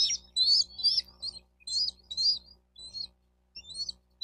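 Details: High chittering from a bald eagle at a Miami-Dade County, Florida nest, nest cam audio from 4 June 2023 at about 12:35; loud clustered chirps first, then softer scattered notes with short pauses, low hum behind.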